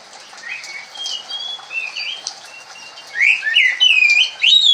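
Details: Oriental magpie-robin singing in the soft kremun style: quiet, varied high whistles and twittering through the first seconds, then louder sweeping, slurred whistled phrases rising and falling in the final second and a half.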